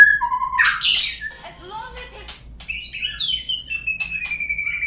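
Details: White-rumped shama lure song meant to prompt murai birds to sing: a loud harsh burst at the start, then scattered soft notes and a long, clear, slowly falling whistle at the end.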